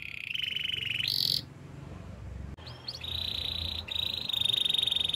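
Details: Belgian canary producing sustained buzzy trills at a fairly high pitch, one abrupt break, then longer even rolls over a hissy background.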